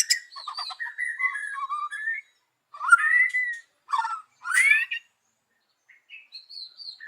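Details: Morning lure song of a white-rumped shama: clipped warbled phrases and clear whistles, each burst lasting about a second with gaps between, ending in quiet high whistled notes.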